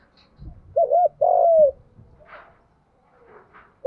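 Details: Spotted dove coo in 'giọng đồng' style for training captive and decoy birds: one phrase of a short rounded note and a long bowed coo, surrounded by low thumps and soft murmuring, a new coo starting at the end.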